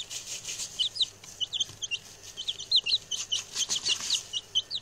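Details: Six male chicks, just arrived and chatty, produce a dense run of high, descending peeps, several per second, over soft rustling.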